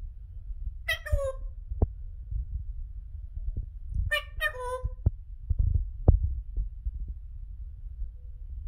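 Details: African grey parrot kept as a pet, saying "peekaboo" in its first talking: two clear bursts of rich, nasal, speech-like syllables that slide downward, with scattered clicks and knocks in a quiet room.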